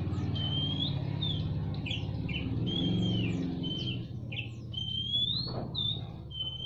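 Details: Male and female Oriental magpie-robins trading ngobra-style song in a semi-natural aviary; short slurred whistles and rising notes sit above a loud, steady low rumbling hum.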